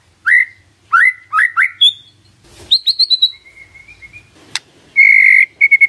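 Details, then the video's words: Song of a white-rumped shama used to coax a silent bird into responding: upslurred whistles, a fast buzzy trill, a level whistled glide, a sharp click, then a strong steady whistle with short repeats. "PANCINGAN SANTAI & EFEKTIF❗❗ murai DIAM langsung respon NYAUT❗❗"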